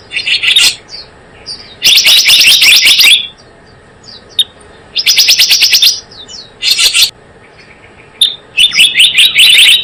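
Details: Java sparrow call used as a lure for trapping birds: bursts of bright, high chirps and short rapid trills, about a second each, separated by brief pauses.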